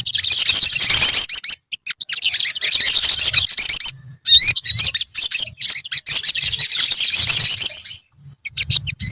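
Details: Colony of olive-backed sunbirds (sogon): continuous shrill, high chattering wash from many birds, interrupted by short pauses, with quick wavy whistled trills near the middle of the stretch.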